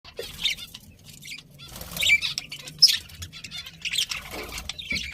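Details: Budgerigars chirping: scattered harsh, buzzy chirps and squawks in short bursts, with quieter chatter between them and faint low rustling underneath.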